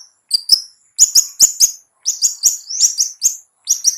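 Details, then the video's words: Cendet, the long-tailed shrike, singing 'ngetet' as a lure to rouse slow, reluctant birds: high, thin whistled chirps in quick clusters of two to four notes, separated by brief silences. "SUARA CENDET NGETET"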